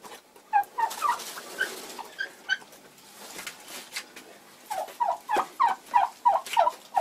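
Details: Bronze turkey hen in February, egg bound, uttering a few yelps and higher squeaky notes, a quieter spell, then a fast regular series of loud, rasping yelps, roughly three per second.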